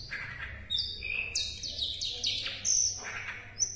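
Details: Asian brown flycatcher song as tutor material for competition songbirds, a lively mix of piercing high whistles, scratchy buzzy trills and short slurred notes in quick succession.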